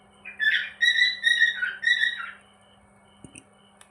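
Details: Happy pet cockatiel giving a short run of clear whistled notes, wavering up and down in a quick phrase lasting about two seconds, followed by quiet with a faint click, indoors over a low hum.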